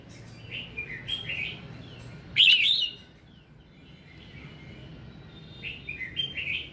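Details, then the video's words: Morning song of a red-whiskered bulbul for prompting singing: soft wavering whistles, then one loud rich warbled phrase midway, then quieter rising and falling notes toward the end. "Tiếng Kích Giọng Chào Mào Hót Sáng"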